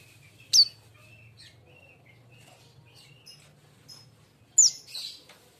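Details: Young, untrained sunbird, recently bought: two sharp, very high chirps that slide downward, about four seconds apart, with faint thin twitters between them over a low steady hum.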